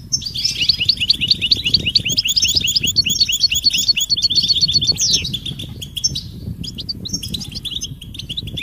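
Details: European goldfinch mating and readiness calls to get males singing: a long, lively run of tinkling, fast-repeated high chirps and trills, thinning in the second half, with steady low background noise.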